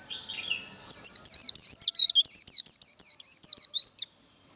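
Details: A white-eye sings in the líu contest style meant to train and excite birds: a brisk string of around seventeen piercing, wavering whistles over a constant high whine.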